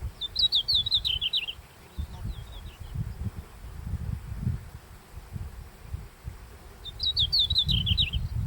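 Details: Red-flanked bluetail song at dawn in the Daisetsuzan mountains, early July: two clear, high, twittering phrases, each falling in pitch and about a second long, roughly six seconds apart, over gusty wind.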